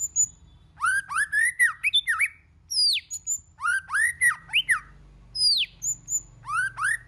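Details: Many-voiced song of a white-rumped shama, played to spur other shamas into song: dense bursts of arched, slurred whistles broken by sharp high downslurs and short pauses, phrases tumbling rapidly.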